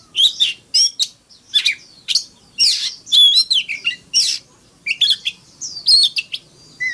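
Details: Oriental magpie-robin giving its fighting song in the morning: a rapid, varied run of sharp chirps, slurred whistles and rising and falling phrases, notes coming several per second with short gaps, quiet background.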